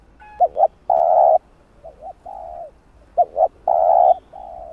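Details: Spotted dove calling to excite wild doves as a lure, its phrase repeated twice: two quick short hoots followed by a long loud coo and a softer trailing coo, each phrase lasting about two seconds.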